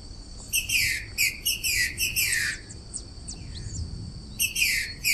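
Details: Female green-winged saltator singing. Short, rich phrases of slurred, descending notes are delivered in quick bursts with brief gaps, over a steady high electronic-like tone and faint background noise.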